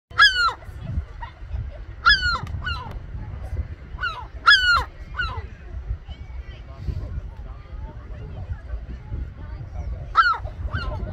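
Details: A European herring gull calling from a sea wall at Lynmouth, Devon, gives loud, nasal, downslurred squealing calls in short bursts every couple of seconds, over a low rumble of wind or surf.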